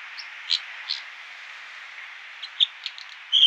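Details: American dipper (water ouzel) giving a few short, high, sharp chirps spaced irregularly over a steady roar of rushing water, road noise reduced.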